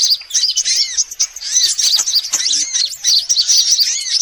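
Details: A sunbird lure track for attracting birds: a thick tangle of very high, thin chirps and trills with short arched slurs repeated underneath, unbroken throughout.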